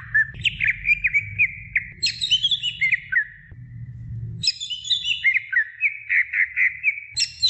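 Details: Greater green leafbird song to stimulate young birds, fast chattering whistles about four per second, broken by bursts of dense high layered notes, then steady repeated whistled phrases; low rumble underneath.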